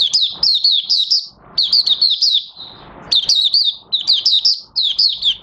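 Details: Oriental white-eye opening its song on 30 August 2022 with its new white plumage nearly complete; repeated phrases of fast, high-pitched warbled chirps, each burst about a second long, separated by brief pauses.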